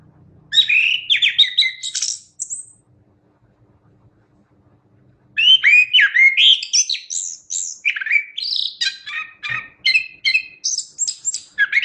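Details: Chestnut-capped thrush singing actively for a songbird training recording: a two-second burst of varied whistles and chirps, a pause of about three seconds, then a long, rich run of rising whistles, trills and sharp notes.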